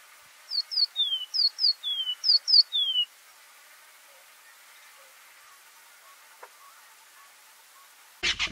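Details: Seedeating golden-breasted bunting gives three quick phrases, each two high chirps followed by a falling whistled slur, then goes silent before a sharp click at the end.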